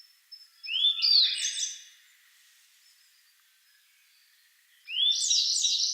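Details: At Kagami Pond in Togakushi, a sub-adult grey bunting gives a high upslurred whistle breaking into quick chirps, a pause, then another bright phrase begins, alternating with a Siberian blue robin.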